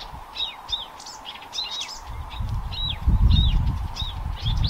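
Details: Blyth's reed warbler singing at Haga kile on 26 May 2024: a quick run of high, slurred and clicking notes, several each second, over a low rumble of wind or distant traffic.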